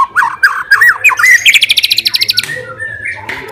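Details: A white-rumped shama of fighter stock, singing to provoke rivals, produces tumbling slurred whistles building into a fast dry trill that fades, then softer drawn notes, over a faint hum.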